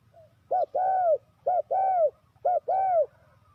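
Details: Spotted dove calling, played as a lure to draw wild doves into traps: three calls, each a short low coo followed by a longer arched coo, repeated about once a second, with faint low background hum.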